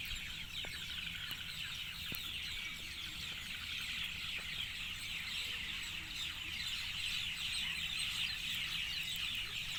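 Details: Many birds chirping together in the evening, rapid high descending notes packed densely and rising slightly in volume, with faint clicks and a low hum beneath.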